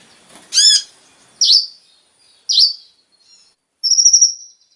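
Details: Konin (brown-throated sunbird) lure song for stimulating caged birds: a few separate high notes, including a ringing descending note and two sharp falling chips, followed by a short high trill, with quiet gaps between them.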